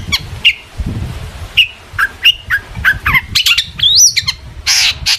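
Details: Long-tailed shrike singing to provoke other shrikes, spaced sharp chips and short whistled notes building into a twisting high whistle and a final harsh buzzy burst, over low background rumble.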